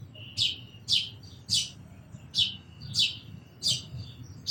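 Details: Sparrow repeating loud, shrill chirps roughly every half second, seven notes in a row over a quiet low rumble.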